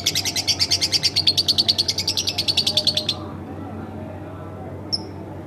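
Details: Pet house lovebird singing energetically, a rapid buzzy chattering trill of evenly pulsed high notes running about three seconds, then a short pause and a single thin high chip.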